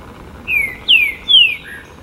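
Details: Urban Brazilian green-winged saltator in São Paulo's Botanical Garden on 28 September 2017 sings a short phrase of three bright, falling whistles, each longer than the last, closed by a soft lower note.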